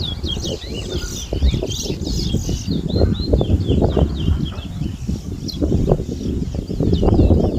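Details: Towa towa seedfinch singing in a whistling competition, Berbice, Guyana, 2022. Repeated looping high whistles follow one another rapidly, set against steady low noise from the crowd.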